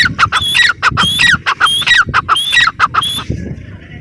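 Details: Teetar, the grey francolin, gives a rapid series of loud, shrill, ringing notes, each a sharp high note dropping into a downward slur, about one and a half per second, fading to faint background hiss at the end.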